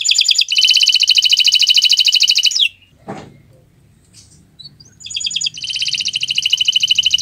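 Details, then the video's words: Friday-morning canary song with a loud rapid trill of buzzy repeated notes, a pause with a soft thump and faint twittering, then the fast trill starts again. "Gacoran Burung Kenari di Jumat pagi"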